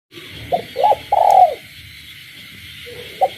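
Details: Caged spotted dove cooing at night in the countryside, with frogs calling: a short note, a rising-falling coo, then a long wavering coo, with a faint final note after a pause; steady high insect or frog hum throughout.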